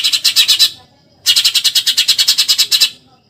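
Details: Eurasian tree sparrow in the 'tembakan nyerecet' manner, recorded for tutoring contest birds: a short burst of fast scratchy notes, a pause, then a longer run of about twenty harsh, evenly spaced chattering notes.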